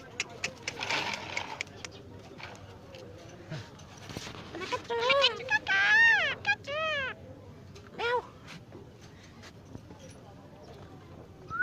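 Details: Jungle myna talking and imitating human speech: a run of harmonic, arching, voice-like syllables, some rising and falling, clustered mid-clip. There is faint background noise and a brief rising note at the end.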